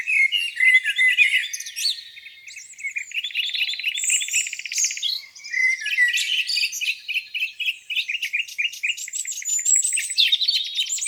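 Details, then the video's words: Spring morning birdsong beside a lake, several birds at once: buzzy rattles, bright trills and scattered chirps overlap continuously, with loud bursts coming every second or so. "Singing birds, beautiful lake view on a spring morning."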